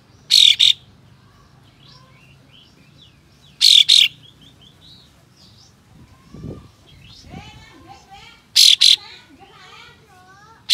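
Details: Tail-spreading white-shouldered triller giving harsh besetan bursts meant to provoke other trillers: three loud, scratchy double blasts spaced about four seconds apart, while many softer whistled and chirping notes of other birds fill the gaps.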